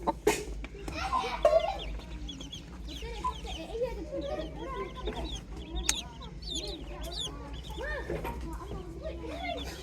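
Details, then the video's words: Chickens on a farm in the morning make a mix of low clucks and arched mid-pitched calls, with faint high chick peeps and a few loud knocking sounds at the start over a steady low hum. "Calm Chick Chirping Sounds"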